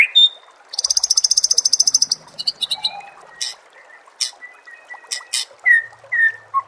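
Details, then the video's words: White-rumped shama training song for contest birds, with a rapid high mechanical-sounding trill of about fifteen pulses, then scattered sharp clicks and clear downward-slurred whistles. "Suara Masteran Murai Batu Gacor – Bikin Mental Petarung dan Siap Juara di Gantangan"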